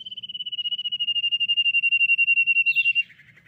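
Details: Lure song of the common iora, played to make others answer: a drawn-out pulsed whistle lasting about three seconds, breaking into a brief fluttering twist and fading lower notes at the end.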